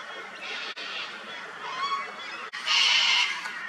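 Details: Sulphur-crested cockatoo at an old dead tree in Australia, chewing bark and feeding on honey; rough rasping calls, a short whistled note, then a louder grating screech near the end.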